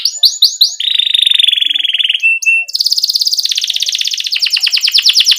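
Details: Vigorous canary song for prompting young canaries to start singing: quick chirps lead into a level buzzy roll, brief pure whistles, then high rapid trills stepping down into sharp repeated notes.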